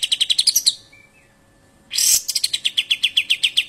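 A White-headed Munia gives rapid, sharp high chips in fast bursts of about ten, with a short pause and a brief harsh rasp between bursts.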